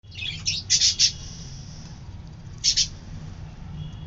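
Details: Budgerigar chicks, a brood of four with eyes newly opened, give thin, raspy, high chirps in a quick cluster, then one more after a pause.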